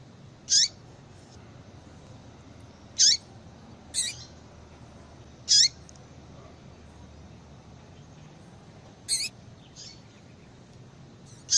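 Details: Female Yellow-bellied seedeater calling to stimulate a male's song: a long series of about seven short, high, piercing notes spaced a few seconds apart, some paired with fainter echoes, over a steady low hiss.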